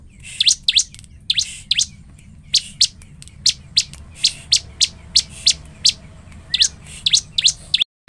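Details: A bar-winged prinia in full song gives sharp, high chipping notes, about two to three a second, in an insistent run over a faint low hum. This is a lure recording said to quickly rouse other prinias.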